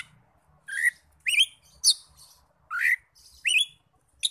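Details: Oriental magpie-robin sounds used to provoke other magpie-robins into singing: harsh upward-swept rasping notes repeated roughly every half second to second, with sharp high clicks between.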